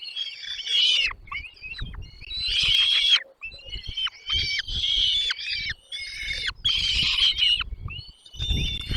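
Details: Hungry chicks in a nest as the parents arrive with food: repeated bursts of hoarse, buzzy begging about every two seconds, thin whistles between, and rustling or knocking sounds.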